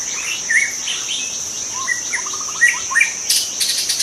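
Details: Wild white-rumped shama from the forest, delivering varied chirps and slurred whistles, a quick stuttering trill midway, then harsh bursts near the end, against continuous high insect buzzing.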